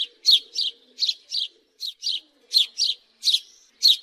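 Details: House sparrow giving a series of loud, bright chirps, about eleven short notes in four seconds, each a quick downward-sliding tweet, fairly evenly spaced with brief pauses between them; a faint low hum beneath.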